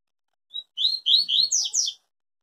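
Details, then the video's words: Tui Tui song of a yellow-bellied seedeater, said to be pure and unbroken: a short introductory note, then a quick series of buzzy, slurred phrases that grow higher and brighter. "Papa Capim Tui Tui zero zero puro"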